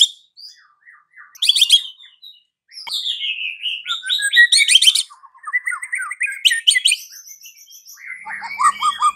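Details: Afternoon white-rumped shama song intended to trigger a silent bird: harsh rattled bursts mixed with gliding whistles, descending chattering runs and a final series of quick squeaky notes.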